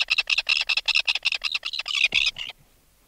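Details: Close recording of an adult red-billed tropicbird calling in alarm after removal from its nest: a fast, harsh rattling burst of pulses that grow longer and louder toward the end, then stop abruptly.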